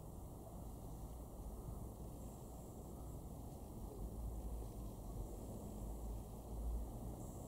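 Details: Steady rumbling traffic noise with a broad hiss fills the whole recording, and no animal call stands out.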